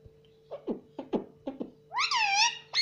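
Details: Talking pet parrot kept indoors, trained to say mummy: a run of soft clicks and short knocking sounds, then one long, loud, harmonic squawk-like word that rises and falls, a steady electrical hum underneath.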